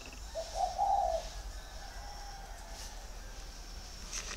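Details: Big caged male spotted dove, northern type, red eyes, six years in the cage, giọng thổ voice: one clear rounded coo phrase near the start, then quiet background noise.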